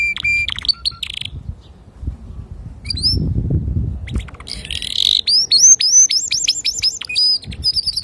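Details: Male canary singing to teach young canaries: bright trills and rapid repeated upswept whistled notes, a dense chattering run in the second half, with low rumbling background noise midway.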